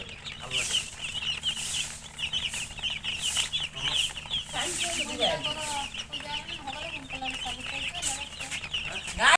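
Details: Chicken chicks (murgi) giving a steady stream of thin, high peeps, many calling at once, while a person talks partway through and a loud knock closes the recording.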